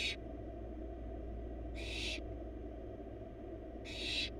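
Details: Begging hiss from wild barn owl nestlings, four chicks in a nest box while the female delivers a huge rabbit: broad, breathy screeches roughly every two seconds, each half a second long, over a steady low hum.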